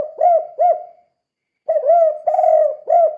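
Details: Spotted dove calling in full voice in the kuk 2 style, used as a lure for other doves: two quick mellow coos, a brief pause, then a longer run of low hooting notes.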